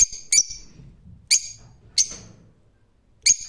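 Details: Four piercing, harsh shrieks from a rose-ringed parakeet, spaced irregularly roughly a second apart, with quiet in between.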